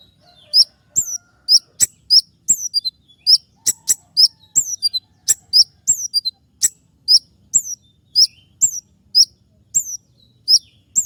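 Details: Wild sunbird (kolibri ninja) used as a songbird lure, giving thin, piercing descending chirps in rapid pairs and short runs, roughly every half second to second, with near-silent gaps and a faint low click now and then.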